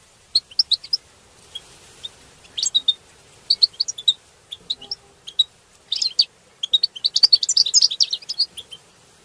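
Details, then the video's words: A group of European goldfinches twitters busily, with quick bursts of high, tinkling chirps and liquid trills that come in runs and grow denser toward the end. The recording is used to stimulate mating and singing in captive goldfinches. "بتبتات حسون تبتة حسون جماعية بتبتة وتستسة المقنين تبتة وستستة"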